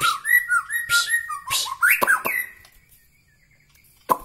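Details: White-rumped shama from Bahorok, Medan, singing steady low whistled notes with a bright upper overtone, then a rising squeaky phrase, silence and one sharp closing note.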